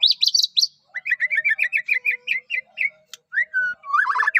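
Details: White-rumped shama (Medan murai batu) in full unique song, used to spur other shamas into singing: a high trilled burst, then a run of rapid repeated whistled notes near the middle pitch, ending in slurred rising and falling whistles.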